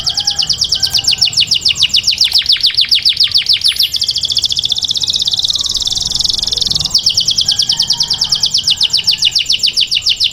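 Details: Canary taghreed song for training chicks: rapid descending chirps, a stretch of dense buzzy trilling, then more fast repeated downward notes.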